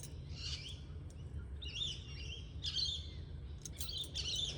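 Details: An Australian king parrot (Alisterus scapularis) outside in the garden, heard from a sewing room, gives high, shrill chirping calls in short bursts about once a second, over a steady low indoor hum.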